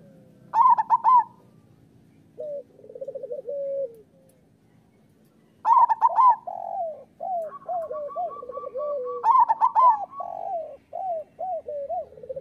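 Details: Local zebra doves in song, meant as master recordings to get lazy doves singing: three loud rattling, high coo bursts alternating with lower stuttered cooing phrases, several birds overlapping, one holding a long steady note.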